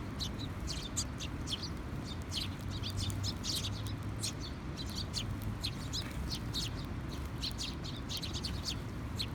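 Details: Sparrows recorded on 2021-06-20, giving many short, sharp chirps in quick, overlapping bursts, suggesting several birds calling together, over a steady low rumble of background noise.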